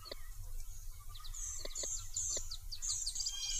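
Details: A gray catbird at a beaver pond in late spring, nesting season, gives a quick jumble of squeaky, high chirps and slurred notes, with a few sharp clicks over a low background rumble.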